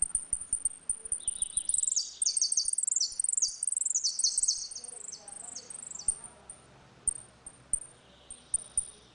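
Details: Saffron finch singing 'retinido' in a dispute, song used for teaching young birds: a long, loud sequence of fast ringing trilled phrases, followed by spaced sharp high chips and a final soft trill, with faint low clicks.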